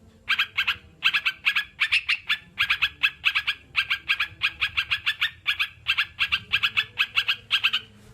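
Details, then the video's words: Sooty-headed bulbul song as therapy for kept birds: rapid, evenly spaced groups of two or three bright chirpy notes running steadily, with a quiet hum behind. "Terapi burung crucukan biar cepat bunyi"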